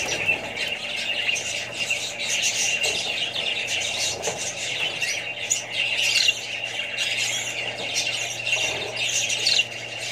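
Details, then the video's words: Crowd of Australian budgies plus other parrots and young birds giving continuous warbling chatter, with sharp chirps and rasping squawks layered over one another without a break. "australian budgies parrots more birds & babys"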